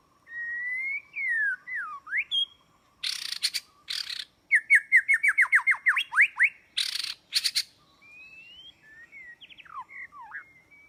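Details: White-rumped shama singing, used as a bird-trap lure: clear sweeping whistles, then harsh rasping bursts, then a rapid descending series of about a dozen sharp slurred notes, more harsh bursts, and softer wandering whistles to finish.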